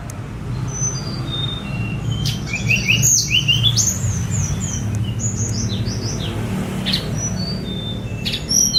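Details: Song of a spotted young Sunda robin, phone-recorded as tutoring material: bright high whistles and quick descending slurred notes in uneven bursts, with a low traffic-like hum and rumble beneath.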